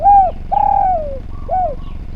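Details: Spotted dove in full voice, recorded as a training track for other birds: a short cooing note, a long drawn coo sliding downward at the end, then a brief closing coo, with a faint low rumble underneath.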